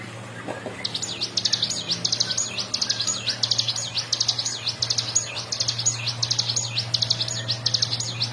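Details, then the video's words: Ciblek gunung in full, continuous 'ngebren' song, used as a master recording for training songbirds: rapid high chattering notes in dense bursts, with a steady low hum underneath. "CIGUN GACOR FULL NGEBREN"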